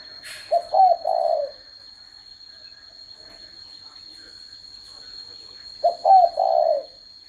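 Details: Spotted dove cooing twice, the phrases about five seconds apart. Each is a low, mellow triple phrase that closes on a long sloping note. A brief rustle opens the recording, and a high steady tone persists underneath.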